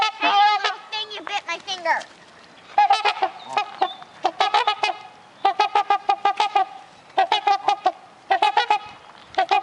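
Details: Trumpeter swans, a pair at a bird sanctuary, give bursts of rapid, trumpet-like honks. The clipped, nasal notes come in quick clusters separated by short quiet gaps.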